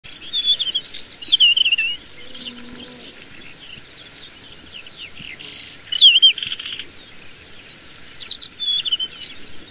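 A Desert wheatear gives short, high, scratchy warbled phrases in a few bursts several seconds apart, with a faint background hiss.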